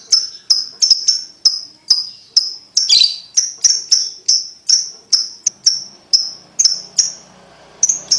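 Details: Sharp, high ticking chirps of a lovebird, used to coach young birds into trilling soon, repeated steadily about every half second with one harsher, broader note in the middle.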